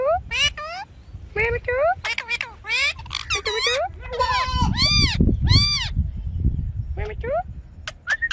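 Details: Ringneck parrot giving a busy stream of sliding, upslurred and arching squeaky notes in quick succession, some clustered in pairs, over a low rumbling background.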